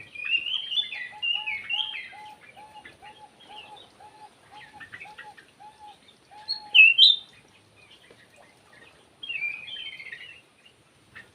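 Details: Sooty-headed bulbul kept in an aviary, singing vigorously: soft, bubbly, gurgling phrases of slurred notes, rather quiet, with one louder sharp phrase midway and a lower, evenly repeated tone running underneath for several seconds.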